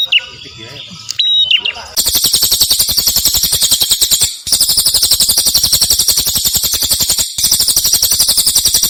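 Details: Prinia of the cililin type on a clear-voiced master recording for teaching songbirds: a few thin whistles, then loud, harsh, rapidly pulsed rattling trills running in long bursts with short gaps.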